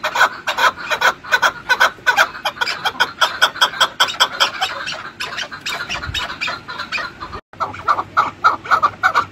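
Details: Chukar partridge calling with a fast series of harsh, clucking chuk notes, about two or three per second, uneven in rhythm, with a brief dropout near the end.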